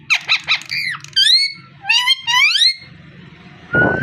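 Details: Squeaky parrot vocalising: quick chattering syllables, then two loud rising, ringing calls with many overtones, a pause, and a final short whistle-like burst, heard indoors with faint low hum.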